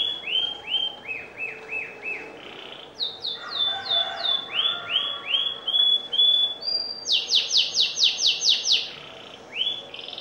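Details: Canary singing busily with shifting melodic phrases: repeated arched whistles at several pitches, a sudden jump to higher rolling notes, then a loud rapid buzzy trill.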